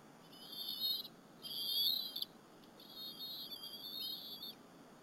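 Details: Nest-camera sound of two bald eaglets sharing a squirrel lunch with their mother at Berry College, April 30, 2015, afternoon. Three long, high, quavering whistles, the middle one loudest, separated by brief pauses against a soft hiss.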